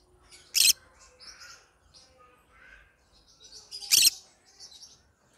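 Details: Yellow-sided green-cheeked conure singing: a harsh, rasping screech, a stretch of quiet scratchy twitters, then a second loud screech followed by more soft chatter.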